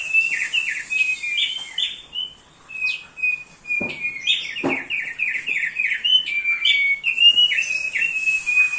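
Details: Nonstop song of a thick-billed heleia used as a master for training birds: rapid runs of bright, sliding chirps and whistles, nearly continuous over several seconds.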